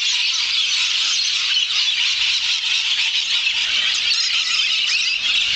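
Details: Hundreds of wild lorikeets arriving to roost in trees at around 5.30pm in Maryborough, Queensland, Australia: an extreme, unbroken wall of shrill overlapping squeals and screeches at steady loudness, with no pauses.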